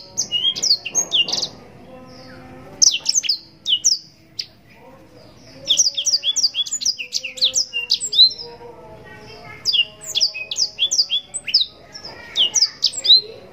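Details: Yellow-rumped serin song for training contest birds: bursts of rapid high slurred whistles and trills separated by short gaps, a quieter low murmur between phrases, the bird resuming with long chattering runs.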